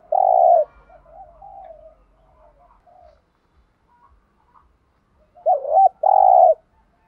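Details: Spotted dove cooing in 'thúc gù' style, native field-dove voice. A loud level coo gives way to soft trailing murmurs, then a long pause, then a wavering short note and another strong sustained coo.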